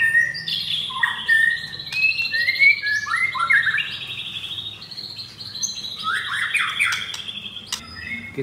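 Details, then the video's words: F4 White-rumped shama with mottled breast, caged in Jakarta, Indonesia, singing varied rough-material song: long level whistles broken by quick chirps, short rising slurs and clicks, with brief pauses between phrases. "Murai Batu F4 Blorok Materi Kasar"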